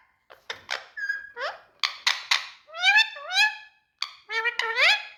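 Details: Pet Indian ringneck parrot in India, indoors in a small room: a string of squeaky, harmonic calls, some sliding upward, others short and speech-like, with brief pauses between them.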